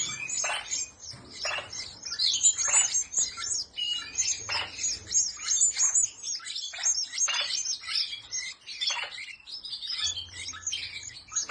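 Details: Canary from Spanish Timbrado, red Malinois or Portuguese Harlequin stock singing a long, dense run of rapid high chirps, roughly three per second, with sharp metallic notes layered over quick rattling trills.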